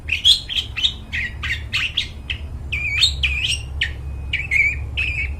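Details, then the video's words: Clear, lively long-tailed shrike song for luring wild birds in the forest: rapid, closely spaced chattering notes with bent whistled phrases, steadily repeated with no pause, over faint low rumble. "cendet gacor, suara plong bening cocok buat pikat burung dihutan"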